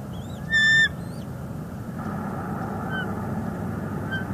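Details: Bald eagle mother on a northeast Florida nest with her chick, February 11, 2021, calling toward her mate on a branch. A single brief, high, piping chitter, then steady low background noise.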